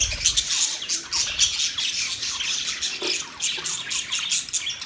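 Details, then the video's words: Continuous busy chirping from budgerigars, a fast stream of thin, scratchy, high notes with small rises and dips in loudness. "Budgies Parrot Talking sound Bird Chirping sound"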